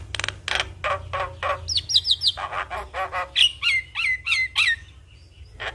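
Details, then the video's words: Javan myna in full song, its phrases packed with varied fill-in notes, a singing style said to set other mynas singing along: harsh rasping bursts repeated quickly, then rising and falling whistled notes, over a low steady hum. "Jalak Kebo Gacor Full Isian Semua Burung Jalak Langsung Ikut Bunyi"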